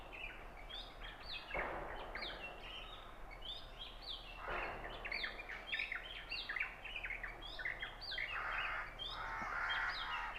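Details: Oriental magpie-robin in Punnad, Iritty, Kannur, Kerala, India, singing a varied run of clear, mostly high whistles and quick chirps, with several similar birds chirping and steady background noise.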